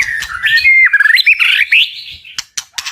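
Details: Powerful 'tạch' song of a white-rumped shama meant to incite birds to fight: a continuous run of bright warbled whistles sliding up and down, ending in several sharp clicking notes.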